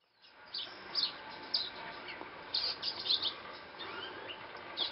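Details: Violaceous euphonia (Euphonia violacea), song.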